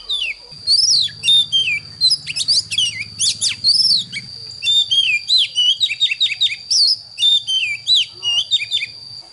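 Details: Morning song of an Oriental magpie-robin, meant for training young birds: loud, clear whistled notes and fast chattering phrases in rapid bursts, a constant high tone behind, and a low hum during the first few seconds.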